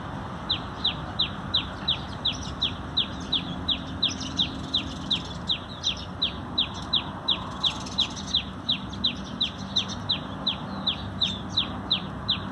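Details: Repeated sparrow chirping while the birds feed under a conservation effort, 19 November 2020: a long, even series of short, high, falling chirps, almost three per second, with low hum beneath.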